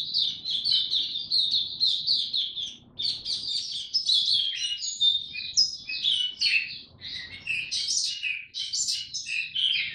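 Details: Oriental white-eye (mata puteh) in buka tiong singing form, delivering a continuous, rapid twittering song of high, squeaky, tumbling notes that jump up and down, with a short pause near three seconds.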